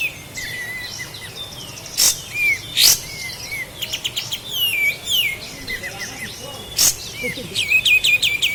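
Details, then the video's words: Native kapas tembak, the sooty-headed bulbul of Lahat, on a master recording for tutoring caged birds: lively mixed chirping with short swooping whistles, quick note bursts and a fast high trill at the end, punctuated by sharp clicks. "Masteran Burung Kapas Tembak Asli LAHAT"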